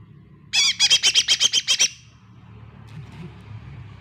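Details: A lure recording of a lesser green leafbird, meant to stir a mute bird into singing. It gives a rapid, even series of about ten rasping, buzzy notes over roughly 1.3 seconds, then quiet background.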